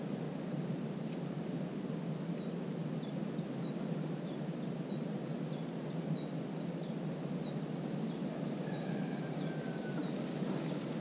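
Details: A common cuckoo chick in a marsh warbler's nest on June 22 gives thin, high begging notes in a quick steady series, about three each second, over a strong low rumble.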